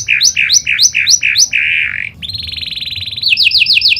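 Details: Lure song of a panda canary meant to set other canaries singing: five quick repeated chirps, a short buzzy note, then a rolling trill and a run of fast rising notes.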